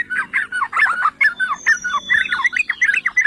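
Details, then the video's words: Bulbul song, yellow-vented, played to set off other bulbuls: continuous fast bubbly warbling of short liquid notes, a thin sustained high whistle running through the middle. "Trucukan jenis APAPUN dijamin NGAMUK || Pancingan dan Masteran Trucukan MEWAH"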